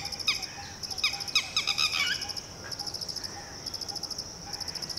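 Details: Red-wattled Lapwing (titehri) parent calling to a newly hatched chick, ordering it to duck and hide; sharp harmonic notes in a quick burst early on, then fading, over a steady high pulsing insect chirr.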